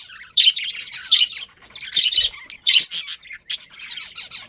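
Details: Budgerigars of a breeding colony, including a breeding pair, chattering in bright high bursts of warbled chirps and squawks, roughly one burst every second with short pauses between.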